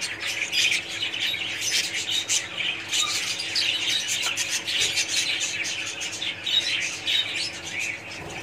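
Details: Budgerigars in a colony, many birds chattering at once in a dense, continuous wash of high twittering and chirps with brief squawks, steady throughout; faint low mechanical hum underneath.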